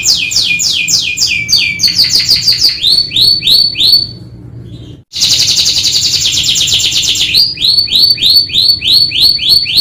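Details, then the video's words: Canary song in the 'gacor atas bawah' style: fast, bright trills of falling notes that shift tempo and pitch between phrases, with a brief near-silent break midway before a dense buzzy rolling passage. "TERAPI KENARI GACOR ATAS BAWAH | CANARY SINGING"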